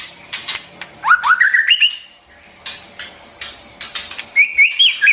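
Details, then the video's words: White-rumped shama song for coaching young and wild-caught birds: a rising ladder of quick whistled notes, clicks and taps in between, then a brief high twittering phrase. "tiếng chim choè lửa hót"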